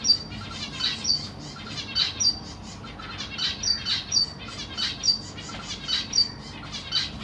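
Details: Caged zebra finches with three juveniles and three newly hatched babies while the parents feed them: short, high, bright chirps in rapid clusters, bursting out roughly twice a second over a faint low background hum.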